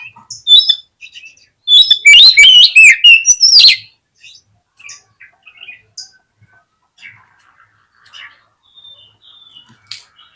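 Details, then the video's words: Oriental magpie-robin lure song to spark a fighting response: a few quiet chips, then a loud two-second burst of fast whistled sweeps and chips, trailing into faint sparse notes. "COCOK UNTUK PANCINGAN KACER YANG MALAS BUKA EKOR SEKALI DENGAR AUTO FIGHTER"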